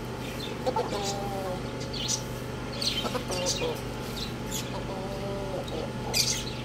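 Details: Young roosters playing on a roof, eating and drinking: a series of soft, low harmonic clucks spaced a second or two apart, mixed with sharp high clicks and pecking taps over a steady low electrical hum.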